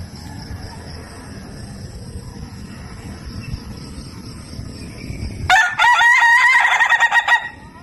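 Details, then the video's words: After several seconds of low background hum, an Ayam Ketawa chicken crows: a fast, chattering run of short pulsed notes for about two seconds, laugh-like and slightly wavering, ending abruptly. "Suara Kokok Ayam Ketawa yang Lucu dan Unik"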